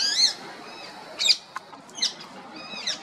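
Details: Female rose-ringed parakeet chirping: a few sharp, arched chirps in separate bursts with short quiet gaps, over a faint hiss of background noise.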